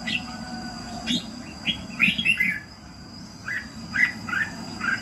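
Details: Red-whiskered bulbul in morning song, played to train and excite birds: quick chirpy notes, a rolling cluster of three or four warbled syllables, then a quiet gap before another short bubbly burst; steady faint hum behind.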